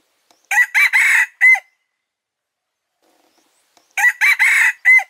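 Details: Red junglefowl cock crowing as a lure for trapping: two full crows about three seconds apart, each of four clipped syllables, a long buzzy middle note and a short clear whistled ending, otherwise silent.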